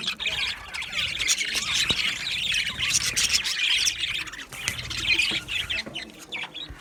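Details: Budgies in an aviary warbling and chirping continuously, a dense layered chatter of mid-high scratchy notes with occasional sharp clicks.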